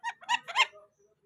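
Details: Indian ringneck parakeet giving four quick, harsh, harmonic-rich squawky notes within under a second, the last two running together, followed by a few faint low tones and silence.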